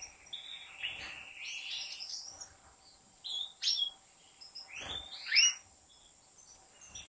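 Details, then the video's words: European goldfinch in a big breeders' aviary: lively high twittering with buzzy, chattering phrases, sharp rising chirps and quick trills, sung close and clear against a near-silent background with a faint high whine. "طائر الحسون"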